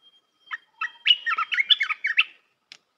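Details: Red-whiskered bulbul training song for young birds: a thin whistle followed by a fast, jumbled run of liquid, chirpy notes, about a dozen in quick succession, ending in one isolated high note.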